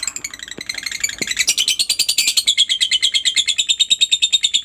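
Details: Lovebird singing in the long, persistent ngekek style, used to prompt other lovebirds to join in: a fast, shrill chattering series of about three notes per second, growing steadier and settling onto a high ringing pitch.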